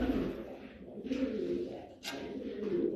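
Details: Fancy pigeons of a Saudi Arabian breed kept in Noakhali, producing low, burbling coos in uneven bursts, broken by rustling and a sharp knock near the middle.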